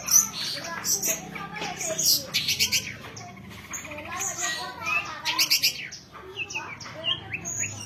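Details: Young songbird judged fit for singing contests, giving a jumbled run of sharp chirps, short whistles and varied high notes, with a faint voice-like murmur beneath.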